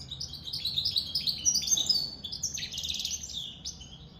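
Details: Goldfinch mule, said to be just out of the moult, singing quick high chirps followed by a buzzy, rattling trill and further twitters; a man talks afterward.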